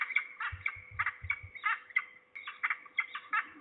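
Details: Falcons calling at Trzebież, Poland, 2 September 2019, at least two birds with one closer and lower. Hoarse, repeated chattering notes flow in uneven runs, with a few low knocks early on.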